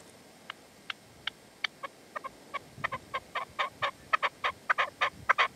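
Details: Partridge calling at sunset in the sierra near Manzanares in February during decoy hunting: faint, distant clipped notes that grow louder and more crowded, building into a rapid chattering series over low rumbling background noise.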